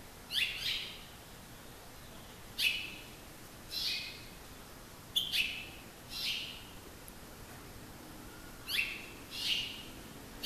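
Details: Male and female house finches singing to each other in suburban San Marcos, California, their usual song rather than alarm: short, bright, high chirps, often in quick pairs, every one to two seconds over faint hiss.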